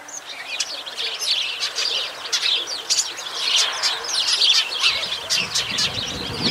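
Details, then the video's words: Sparrows chirping together in a busy chorus, many short high chips and tweets overlapping continuously, with no pause between callers. "Świergot wróbli"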